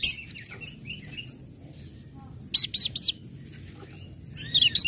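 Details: Ngecip, ngecit and ngeplong song of an Orange-headed thrush, played to trigger other birds to sing: fast high chips and whistles, a pause, then a buzzy repeated trill and closing bright notes.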